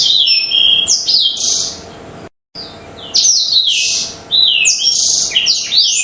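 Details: Black-throated canary in an energetic lure song for other birds: quick high chirps, downslurred whistles and buzzy trills, with a sudden silent gap about midway before the twittering resumes.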